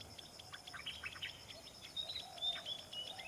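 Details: Common tailorbird chicks being fed by a parent give a busy run of thin, high chirps and short squeaks, several overlapping at once, against soft background hiss.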